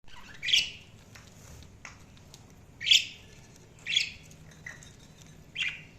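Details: Budgerigar chirping: five short, sharp, high-pitched chirps spaced roughly a second apart, each a bright burst that fades quickly, over a quiet background with a faint low hum.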